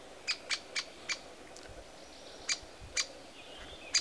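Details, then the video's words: A young great spotted woodpecker at its nest site, shortly before fledging, gives sharp, high 'kik' notes, about seven in four seconds at an uneven pace, over a faint background hiss. "młody dzięciołek"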